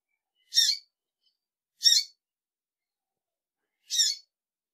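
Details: Female double-collared seedeater giving three short, high, buzzy chip notes spaced one to two seconds apart in quiet surroundings.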